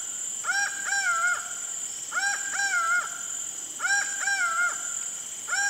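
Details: Acauã, the laughing falcon of Brazil, giving its two-part call in pairs: a brief upswept note then a drawn-out hollow note, groups spaced about every one and a half seconds, with constant high-pitched background hiss.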